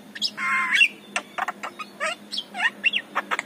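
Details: Javan myna singing in the morning as a lure for other mynas, opening with a long buzzy harsh note, then quick whistled slurs, clicks and squeaky chatter.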